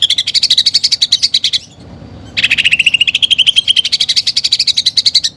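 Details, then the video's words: Greater green leafbird, a kept songbird singing nonstop with fillers copying a fighting sparrow and a woodpecker. A high, rapid chattering trill, a brief pause, then another quick pulsed series sliding upward in pitch. "CUCAK IJO GACOR FULL ISIAN TEMBAKAN GEREJA TARUNG DAN PELATUK BAWANG"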